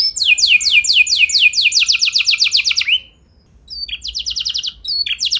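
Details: Canary song used as a training lure to make other canaries sing with long rolls: rapid series of descending whistled sweeps, a brief pause, then quicker repeated notes, loud and clean against quiet background.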